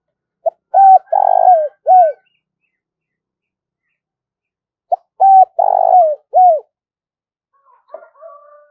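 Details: Decoy spotted dove cooing to lure rival wild doves: two phrases, each a short lead note, then drawn-out tones and a buzzy rolling middle note ending in a drooping coo. A faint softer call comes near the end.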